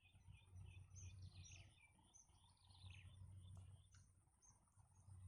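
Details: Baby birds in the nest begging while their mother feeds them, biting her to get nourishment; rapid high chirps and falling squeaks crowd the first half, then thin out, with a low droning rumble beneath.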